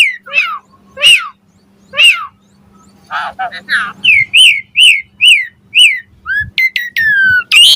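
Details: Asian pied starling song used as a lure for other starlings: descending whistled notes, a burst of buzzy calls, then a steady run of arched whistles and long drawn-out notes; faint hum throughout.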